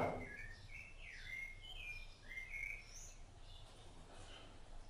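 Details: Rufous-bellied thrush feeding its chicks. After a brief thump, it gives a flowing phrase of slurred whistles, some falling and some rising, at mid-high pitch, ending in a higher note. Quiet background.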